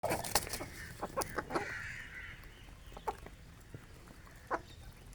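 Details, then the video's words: An Aseel rooster and hens eating grain on a village morning cluck in short, scattered bursts, with a few sharp notes in the first two seconds and then sparser clucks over a low background hum. "Aseel Rooster & Hens Morning Feeding"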